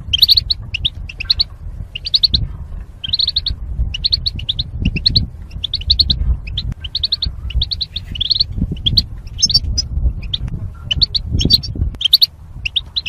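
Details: Caged goldfinch song for singing training of mating pairs: continuous lively twittering of short high chirps and trills in dense phrases, low rumbling noise underneath.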